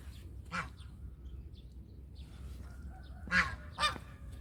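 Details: Domestic goose honking three times: one early nasal honk, then two close together near the end, over a soft background rumble.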